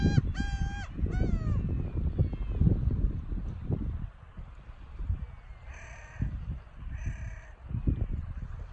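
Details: Gulls calling on a Noto Peninsula beach in Japan in early March: a quick burst of yelping, descending cries, then faint distant calls, under constant wind and wave noise.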